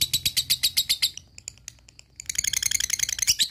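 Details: Lovebird 'ngekek panjang' chatter used to provoke other lovebirds; a quick series of loud, harsh high notes, a short quieter stretch of scattered clicks, then a dense, fast burst of shrill chirping.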